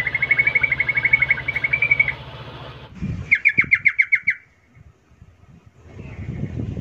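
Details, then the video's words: Yellow-vented bulbul calling to draw replies from other bulbuls: a long, even chattering trill of about two seconds, a brief pause, then a sharper descending chatter burst, with low rumbling and handling noise behind. "10 macam suara panggilan trucukan gacor PALING AMPUH BIKIN LANGSUNG NYAUT RIBUT trucuk lain"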